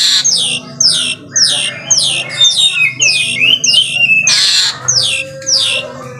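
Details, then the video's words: An Asian pied starling calls through the morning with a string of harsh, downward-sliding squawks, about two each second, then a longer twisting whistle near the end. "KICAUAN JALAK SUREN GACOR PAGI HARI"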